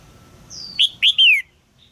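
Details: Female red-whiskered bulbul in a cage, calling to prompt a young male into song: a thin high whistle, then two short chirps and a longer, bright, downward-slurred note.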